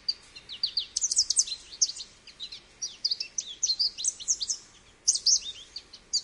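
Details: American goldfinch song: a lively, continuous series of high, thin twitters and short slurred notes, delivered in quick clusters with brief gaps, against faint low background noise.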